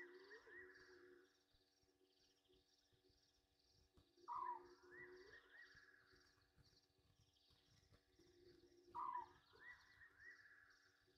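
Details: Egyptian geese splashing at a night waterhole, Gowrie dam on Djuma Game Reserve, Sabi Sand, South Africa, 21:32 on 27 August 2023: two abrupt descending honks about five seconds apart over an unbroken chorus of night trillers.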